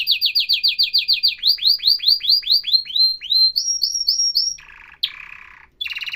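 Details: Canary singing in a professional style: a rapid series of bright, down-slurred whistled notes, steadily slowing and rising slightly in pitch, then a brief buzzy rattle and a renewed fast trill.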